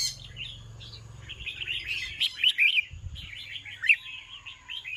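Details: Evening song of a red-whiskered bulbul: a rambling stream of chirpy, warbling notes, rising in the middle with a few louder accented syllables, over a faint low hum.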